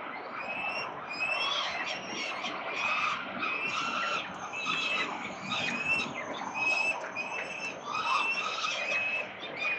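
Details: Peregrine falcons calling at 367 Collins in Melbourne, Australia, 13 November 2022. Harsh, strained, whining calls are repeated in overlapping bursts for ten seconds, with brief higher chirps mixed in and a steady background hum.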